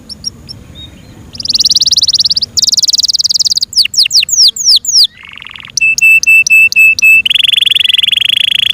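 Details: Song of a Yorkshire canary kept as a cage bird: buzzy high trills, a run of sweeping downslurred whistles, a low buzzy phrase, evenly spaced clear notes and a final steady buzzy trill.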